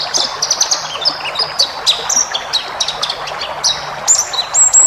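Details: Caged-bird training song of a pleci ngalas white-eye, rich in varied phrases: rapid high chirps in bursts alternating with long level whistles, nearly continuous across the stretch, with a background hiss.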